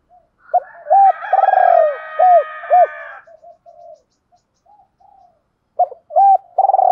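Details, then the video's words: Male and female spotted doves calling to provoke a rival for training; a low phrase of hooked coos, a rolling trill and falling notes with a faint buzzy overlay, quiet murmurs, then a new phrase starting. "tiếng chim cu gáy kích bổi"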